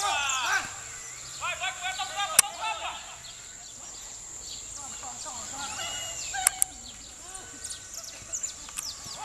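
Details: A female euphonia gives short, chirpy, sliding notes in quick irregular bursts, with other small birds calling nearby and a steady high insect drone.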